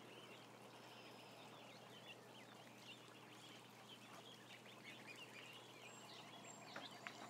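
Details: Ducklings, around a thousand of them, keep up a busy stream of high, short peeps, several per second, overlapping against a steady hum.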